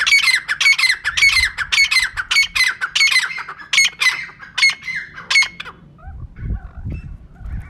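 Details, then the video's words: Female francolin calling, used as a lure for catching birds: a run of harsh, squawking notes, about two per second, for nearly six seconds, then a softer close with faint low rustling. "Female Teetar ka clear and saaf awaz"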